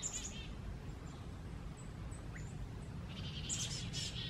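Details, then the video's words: Songbirds mobbing a screech owl give high, thin, buzzy chip notes in short bursts at the start and end, over a steady low rumble of wind. "Screech owl mobbed by songbirds"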